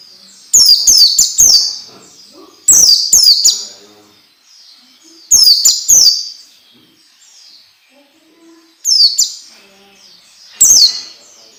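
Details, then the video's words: Tutor recording for young orange-headed thrushes, used to make them sing quickly and often: short clustered bursts of sharp descending whistles, repeated about every two to three seconds with quiet gaps between. "SUARA MASTERAN BIKIN PELECI BAHAN CEPAT BUNYI DAN GACOR"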